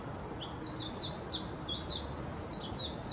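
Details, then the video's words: Warbling white-eye singing, Hashimoto, Wakayama Prefecture, Japan, 26 June 2021, Nikon Coolpix P900: a jumbled run of high, sweet, falling chirps and trills, somewhat softer, against a continuous shrill insect-like hum. "メジロ さえずり 姿 鳴き声 warbling white-eye song"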